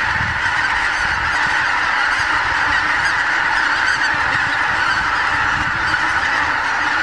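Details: Wild geese by the thousands on morning meadows and fields of the Lower Rhine, Germany, camcorder recording; loud, close, continuous honking of a vast flock, individual calls blending into a constant din.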